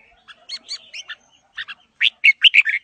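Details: Red-whiskered bulbul singing a forest-voice style song while displaying: rapid bright chirped notes in clustered bursts, ending with a loud run of five fuller, slurred whistles close together. No other sounds.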